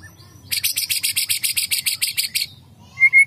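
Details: Agitated white-rumped shama singing hard again: a single fast train of about fourteen harsh, buzzy rattle notes lasting two seconds, then a brief quiet gap and a couple of short, high, pure whistles at the end.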